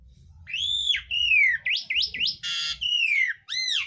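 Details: Asian pied starling singing a song filled with imitations of the green leafbird, oriental magpie-robin, Pacific swallow and sooty-headed bulbul, used as a training track for other cage birds: loud slurred downward whistles, short rising notes and one harsh buzzy burst.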